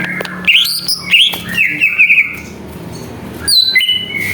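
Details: Greater green leafbird song used as a lure to provoke other birds into singing: clear whistled notes sliding between high and mid pitch, a short rapid trill-like run, then gaps and a few more whistled notes.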